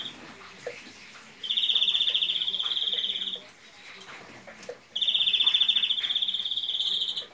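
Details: A captive European greenfinch gives two long, fast, high rattling trills, each about two seconds long, separated by a short pause, with faint background noise; its song is judged a faulty, badly linked sequence.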